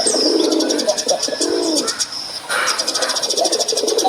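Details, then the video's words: A male dove (pigeon) gives low, rolling coos in soft repeated phrases, while shrill, buzzy chirping from other birds or insects runs high above it throughout. "THE SOUND OF A MALE DOVE"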